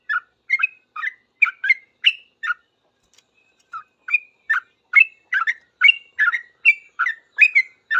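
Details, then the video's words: Yellow-vented bulbul in noisy 'ropel' singing in response to other bulbuls: fast chattering chirps, a short silence around the middle, then a denser burst of bubbling double notes. "Trucuk gacor paling cepat di respon trucuk lain langsung bunyi ribut ropel"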